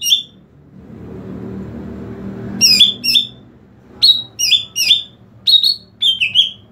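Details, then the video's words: Lure call of a greater green leafbird meant to draw in other leafbirds: after a brief opening note and a quiet stretch, bright downslurred whistles come in quick pairs and triplets, ringing and emphatic, with soft low background noise. "SUARA PANGGILAN CUCAK IJO UNTUK MEMIKAT CUCAK IJO LAIN"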